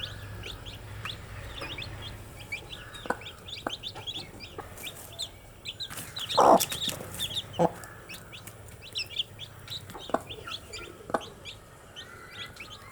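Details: Young chicks chirp busily in a crowded chorus of short high peeps, with several taps and a loud clatter near the middle.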